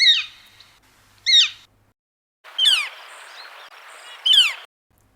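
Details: Gilded Flicker, a Sonoran Desert resident, gives four loud, high, clear, sharply down-slurred calls over about five seconds, higher-pitched than a northern flicker's, the later ones over a faint steady hiss.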